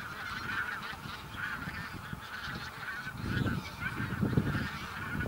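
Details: Bean geese by the thousands in a Texel field, November 2014; a softer, more distant chorus of nasal honks rising and falling, over a low rumbling background.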